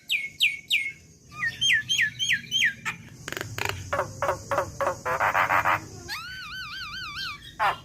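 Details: Tutoring recording of a young captive Javan myna: rapid downslurred whistles, clicking rattles and buzzy bursts, ending in a wavering warbled whistle held for about a second.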